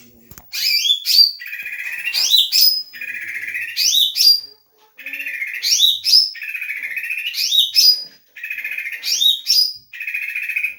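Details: Leafbird in vigorous song, its repertoire including Doraemon-derived material: repeated phrases, each a buzzy sustained rattle joined to sharp rising and falling whistled sweeps, roughly one phrase every two seconds, continuous and loud with no other sounds.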